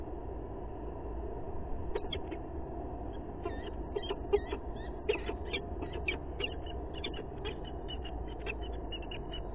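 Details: Peregrine falcons at a nest in Sheffield, England, 27 April 2022, as the male pushes the female off the nest: bursts of short, harsh chipping notes in uneven series, some closely spaced, over a steady low hum.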